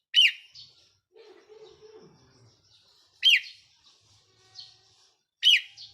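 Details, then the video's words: Caged decoy red-whiskered bulbul, 4 May 2023, repeating a loud sharp whistled note about every two and a half seconds, with soft chirps between and a brief low sound early on. "เสียงนกต่อ นกกรงหัวจุกแก้มแดง"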